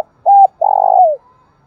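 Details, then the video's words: Spotted dove giving a lure call meant to stimulate another dove: a short flat coo, then a longer pulsing, vibrating coo that slides downward at the end, low and mellow with near silence around. "tiếng cu gáy thúc bổi"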